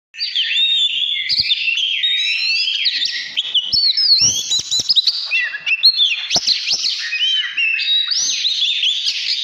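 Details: Oriental magpie-robin singing in a fired-up 'căn lửa' state, 2017: a dense, unbroken run of varied whistled phrases, sliding up and down and mixed with rapid chattery notes, with a few sharp clicks.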